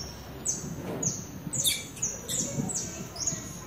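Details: Wild Saffron finches, well over a hundred, feeding and singing in a backyard: thin, piercing descending chirps tumble over one another, some louder notes standing out against quiet low noise.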